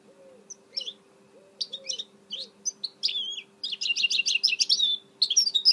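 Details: Singing goldfinch hybrid (mule), 2018: scattered high chips build into a fast, rhythmic string of repeated twittering notes, with a soft lower whistled note early on and a steady hum.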